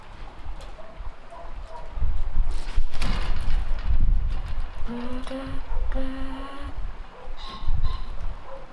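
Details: Fable, a female captive Common Raven alone in her aviary and filmed by hidden camera, sings softly: a few quiet high notes, then drawn-out, nasal, slightly rising tones, with rustling and handling noise between.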